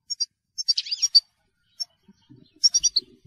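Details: European goldfinch in telqam song, giving short bursts of high, sharp twittering notes with a jumbled buzzy middle section, separated by pauses and faint low clicks.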